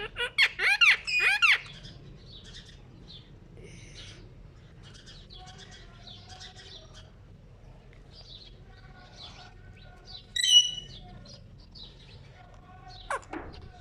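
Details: Ring-necked parakeet kept as a pet and drawn to mirrors, opening with a burst of loud arched squawks, then soft scattered chatter and a sharp squeak near the end.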